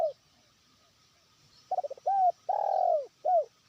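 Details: Lure-trained spotted dove starting to call to a distant rival. After a pause comes one phrase: four quick stuttering notes, a short coo, a long arched coo and a final short coo.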